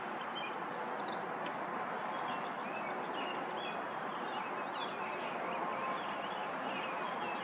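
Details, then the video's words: Yellow warbler singing at Lauritzen Gardens, Douglas County, Nebraska, on May 28, 2024: a quick run of bright, high, sliding notes in the first second, then a steady hiss with a high pulsing insect-like drone and faint chirps from other birds. "Yellow Warbler singing"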